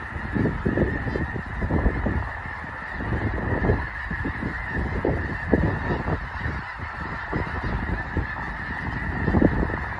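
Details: Only a few thousand snow geese at Loess Bluffs National Wildlife Refuge, northwest Missouri, in fall make a continuous din of overlapping nasal honks and yelps, rising and falling without pause.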